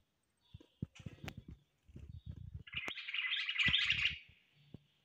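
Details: Common blackbird singing: a dense warbled burst of high notes lasting over a second, preceded by scattered low knocks and handling clicks.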